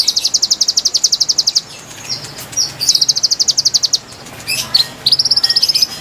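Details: Konin song played to lure wild birds: repeated fast trills of bright high notes in phrases of about one and a half seconds, broken by short chirps and pauses.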